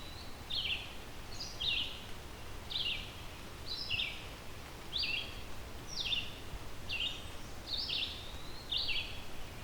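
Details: Red-eyed Vireo in the Halton Regional Forest, southern Ontario, singing short, slurred phrases about once a second, each like a quick question or answer, over a low rumble; it sings all day with few breaks.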